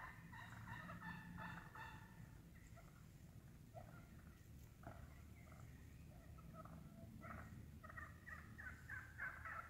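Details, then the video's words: Vocal wild turkey flock feeding in the woods: bursts of fast sharp cutting clucks, then a pause and more scattered clucks and purrs from several birds, over low-frequency background noise. "Real Wild Turkey cutting, purring, clucking in the woods"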